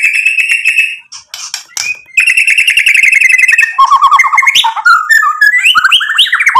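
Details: A white-rumped shama's provoking song opens with a sustained buzzy trill, breaks briefly, resumes the rattling trill, then shifts into a fast series of varied rising and falling whistled notes.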